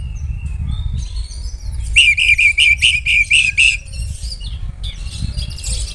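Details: Oriental magpie-robin song to provoke rivals, a quick run of repeated buzzy chattering notes in the middle, set against heavy low rumbling background noise and faint scattered notes.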